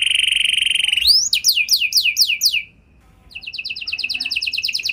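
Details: Singing canary, a lure to set other canaries singing: a long level whistled note, a run of fast descending slurs, a short silence, then a quick bright trill.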